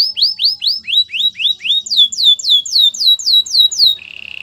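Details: Canary song used for training other canaries: rapid series of clear downslurred whistled notes, about four per second, repeated in tours that shift pitch, ending in a short steady buzzy trill.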